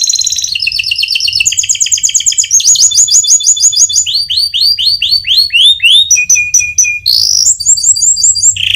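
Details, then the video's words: Canary singing a loud, long rolling song to lure other canaries into song; a chain of rapid trills, each section switching pitch and note shape, from buzzy rolls to sweeping chirps and pure whistles, with a faint low hum. "Suara Burung Kenari Gacor Panjang cuit cuit Ngerol untuk Pancingan Kenari"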